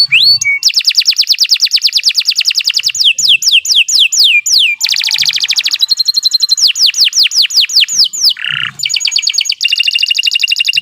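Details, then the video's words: Canary delivering a long continuous training song, alternating rapid pulsed trills with runs of falling whistled slurs, a short harsh buzz near the end, and dense rolling phrases throughout. "Kicau Burung Kenari II GACOR PANJANG Cocok untuk Masteran"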